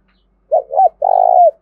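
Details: Spotted dove cooing to provoke wild doves into answering, used as a lure: one clean phrase of two quick rounded notes followed by a longer, slightly vibrating held coo that drops at the end.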